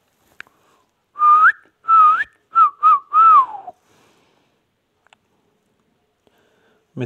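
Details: Talking ringneck parrot from Pakistan producing a phrase of five tonal, whistle-like syllables, the first two rising, the last gliding downward, followed by a quiet room.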